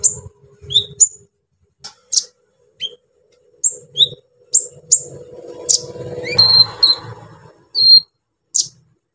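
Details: Brown-throated sunbird, an energetic singer, singing to rouse other sunbirds: scattered sharp high chirps and brief downslurred notes with pauses between, plus faint low rumbling and a short noisy burst.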